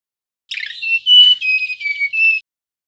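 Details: Male mangrove whistler, played as a lure for other birds, singing one clear phrase: a rough opening burst, then several pure whistled notes held at steady pitches, stepping slightly down and back up, lasting about two seconds in silence.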